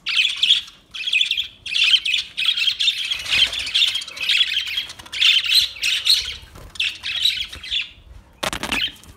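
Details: Newly acquired budgerigars chattering almost nonstop: a loud, scratchy, warbling stream of rapid chirps and squawks in bursts of about a second, broken by brief pauses, with one sharp harsh call near the end.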